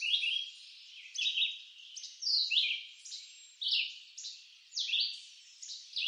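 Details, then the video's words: Singing red-eyed vireo in eastern North American woodland: clear slurred whistle phrases, some rising and some dropping, delivered about once a second in a persistent monotonous series. "Red-eyed Vireo Bird Song"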